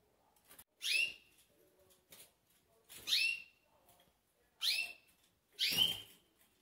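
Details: Pintagol, a green bird filmed close up shortly before sleeping, gives four bright, piercing whistled notes that drop in pitch, over quiet background twittering.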